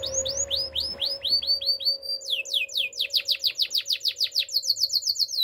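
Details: Spanish Timbrado canary training song made of quick arched whistles that accelerate into a dense falling trill, then a higher, evenly pulsed run of notes; a faint steady low tone persists throughout.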